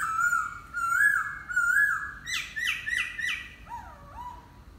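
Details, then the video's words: Laughingthrush song: wavering whistled notes rising and falling, then a burst of loud, rapid, emphatic repeated notes, ending in lower swooping whistles; no other clear sounds. "Khướu hót"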